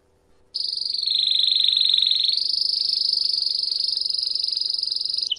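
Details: A canary sings a long, even, high trill that steps up slightly in pitch halfway through and holds steady for about five seconds, as song-training material.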